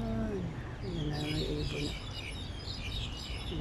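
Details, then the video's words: Several birds calling together outdoors in the morning, as if singing to each other: high, quick chirps and twitters overlapping throughout, over a low steady hum and some low tonal sounds early on. "Ayan o, ang ganda ng tunog ng mga huni ng ibon."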